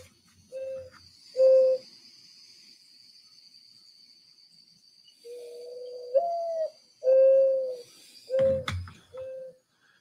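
Mourning Dove giving soft, low, owl-like coos: a drawn-out note that rises and falls, then three or four even coos, over a faint steady high whine.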